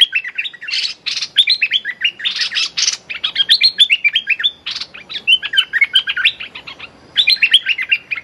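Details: Streak-eared bulbul decoy calling at a captive young female bird during trapping. Harsh rasping bursts open, then lively runs of bouncing, warbled notes with short pauses between phrases.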